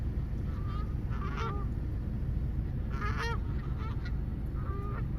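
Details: Geese honking, with a few nasal calls early on, a louder overlapping cluster just past the midpoint, and a softer honk near the end, all over a heavy, steady low rumble.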